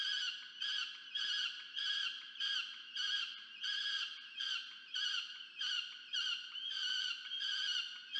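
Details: Peregrine falcon chick demanding food from its parent, nest camera, Orange, New South Wales, Australia, 13 November 2022; a long, relentless series of about fourteen harsh, whining screeches, each around half a second, delivered in rapid rhythm.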